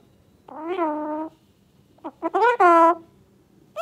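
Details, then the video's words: A tame Alexandrine parakeet talks in a nasal, voice-like tone: one drawn-out rising-then-falling word, a pause, then a quick burst of short clipped syllables. "Alexander Parrot Talking"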